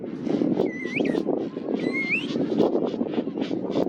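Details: King penguin chick at a small hilltop colony on Saunders Island, Falkland Islands, December 2024, gives two shrill, wavering whistled phrases sweeping upward about a second apart, apparently begging from a parent not its own, over colony murmur and wind.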